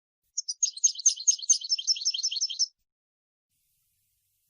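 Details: European goldfinch song for teaching chicks: a couple of lead-in chips, then a fast jumbled twittering phrase of about two seconds, followed by quiet and a final click.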